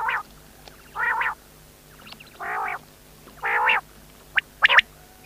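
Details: Quail calling: a series of harsh, buzzy, nasal notes, each about a third of a second, spaced irregularly, followed by a few short sharp high whistled notes near the end; steady low hum in the background.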